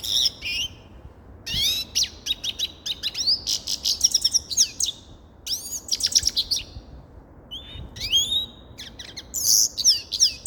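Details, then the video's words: A grey-crowned goldfinch delivers bursts of bright, jangling twitters: clusters of fast buzzy chirps and sweeping whistled slurs, separated by short gaps, all high-pitched over a quiet background. "Sava Sayrashi Седоголовый Щегол Голоса Птиц"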